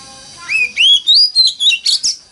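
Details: Oriental magpie-robin lure song in a 'mountain forest' voice, used to get other magpie-robins singing: one short phrase of about six rising, clear whistled notes climbing in pitch, ending in a brief harsher flourish.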